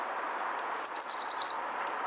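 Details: A male Eurasian blue tit singing to win a mate gives one high, thin note, then a quick trill of about six notes that slides gently lower. A soft background hiss runs underneath.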